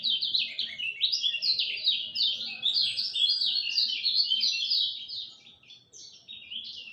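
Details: Lemon-bellied white-eye singing at dawn: a long, fast, continuous warble of high twittering notes, rising and falling in quick chirpy phrases, with a faint low hum beneath.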